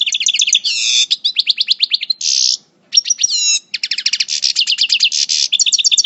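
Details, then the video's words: European goldfinch of the parva subspecies, moulting, El Bordj, in coupleur song: rapid trilled rattles, ringing repeated notes and harsh buzzy bursts pour out almost without pause, with one short silence midway. "Chant Chardonneret Parva Coupleur En Mue"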